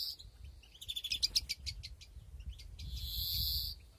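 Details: Aviary-bred European greenfinch, breeding season 2021, nests present; a rapid clicking trill of sharp notes, then a sustained nasal buzzing wheeze lasting about a second, against a low background rumble.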